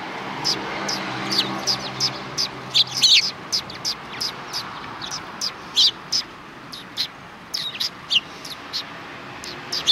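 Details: Sparrows on a shrine approach road, Tenmangu, 13 December 2019, with spaced single chirps every half second or so, a brief louder flurry near the third second, over a low steady hum.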